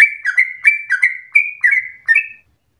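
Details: Short burst of rapid 'ropel' singing from a sooty-headed bulbul, used to stimulate and tutor other birds: seven or eight quick whistled notes sliding down, then silence.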